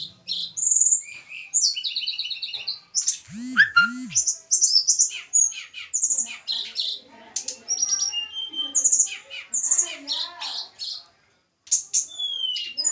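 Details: Captive Javan tledekan gunung during pairing; busy sweet song of high whistles, trills and upslurs in irregular bursts, with two low deep hooting notes near the start and a moment of silence late on.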